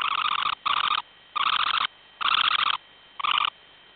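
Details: Semipalmated sandpiper incubating at its breeding site near Barrow, Alaska, giving five long buzzy trills, each about half a second, rough and purring, spaced by short gaps of even pitch.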